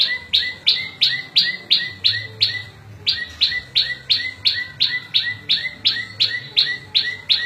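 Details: Prinia song made of sharp, high, metallic chips repeated steadily about three times a second, each note with a lower echoing tail. After a brief break near three seconds the run resumes at the same pace.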